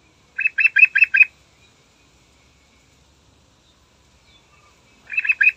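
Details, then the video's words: Yellow-vented bulbul singing in the morning, used to lure other birds into song: a burst of five rapid, bright chattering notes, a pause of about four seconds, then another quick chattering burst. "Trucukan Andalan Gacor Istimewa Pagi Hari Manjur Buat Pancingan"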